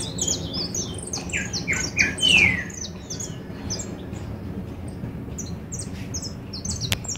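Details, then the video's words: A goldfinch pours out quick bursts of bright, high chirps and twitters, busiest over the first three seconds, then sparser scattered notes over a low steady hum; described as partly drowned out by a "chalcha". "jilguero tapado por chalcha"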